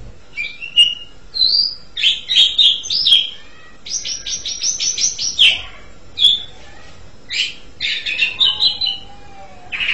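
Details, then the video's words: Asian pied starling in a lively, varied song of whistles, squeaks and a fast stuttering series of rapid clicking notes. Several sliding whistles follow, and a soft lower tone is heard near the end. "JALAK SUREN"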